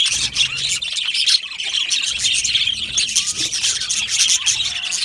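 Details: Budgerigar aviary colony in a happy mood: nonstop shrill chattering and chirping, with a few short rising and falling whistled notes among the crowd of voices.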